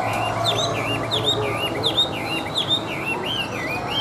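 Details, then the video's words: A tame, hand-carried Chinese hwamei sings set on a table: a rich run of looping, slurred whistles, rising and falling about twice a second, over a low background hum. "Họa Mi Hót"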